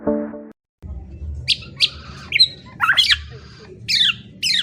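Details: Black-naped oriole song: an opening low buzzy harmonic tone, a short gap, then scattered sharp high whistled and squawky notes at irregular intervals over a steady low hum.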